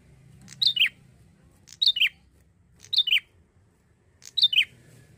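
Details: A young male bar-winged prinia, already singing strongly, repeats a bright, high two-note phrase, each note slurring downward, about once every 1.2 seconds, over a faint low rumble; used as a lure recording.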